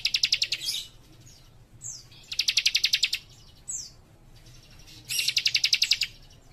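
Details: A young, actively singing cikrak delivers three fast, evenly pulsed high trills about two seconds apart, with short descending whistled notes in between and a low hum in the background.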